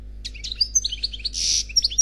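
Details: Khalwi-style song of an unpaired European goldfinch (célibataire), taken from a CD: quick bright chirps and liquid twittering, a harsh buzzy rasp midway, then more sharp high notes.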